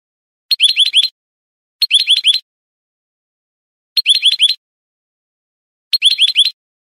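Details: Goldfinch, canto de salón from a Spanish training recording: four short separate phrases, each a rapid cluster of sharp up-slurred notes lasting about half a second, spaced roughly two seconds apart.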